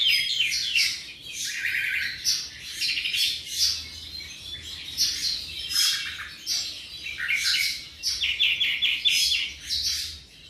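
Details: Tropical mockingbird roughly seven months old delivering a rich, varied song of repeated rapid trills, chirps and buzzy phrases, each motif repeated several times before switching, with brief pauses between bursts.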